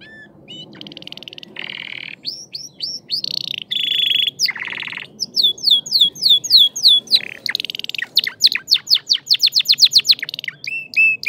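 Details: Crested canary singing in full form: buzzy rolls and harsh chatter give way to long series of fast, sharply descending notes and a quick rhythmic trill, over a faint low background hum.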